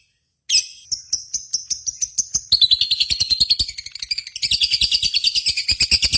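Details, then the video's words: Contest-style lovebird singing, played as a lure for pet lovebirds. A shrill, high, pulsed trill starts after a brief silence, shifts lower and fuller midway, then rises again into a continuous buzzy chatter. "PANCINGAN Burung Lovebird"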